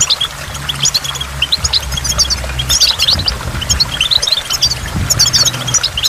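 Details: Goldfinch by a waterfall: scattered sweet twitters and sharp high chirps, some in quick clusters, heard over continuous falling water and a low droning hum.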